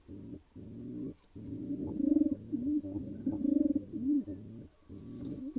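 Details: Pigeons of a newly formed pair coo at their nest before any eggs are laid: long, throaty, rolling coos that swell and fade, running almost without pause and rising in loudness midway, in a small enclosed space.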